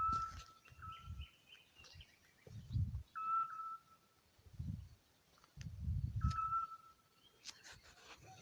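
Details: Eurasian Scops Owl pair duetting in the Algarve, phone-recorded from under their tree, one bird nearer and one farther. Brief, flat whistled notes arrive every one to three seconds, some loud, some fainter. Heavy low footsteps thud between them.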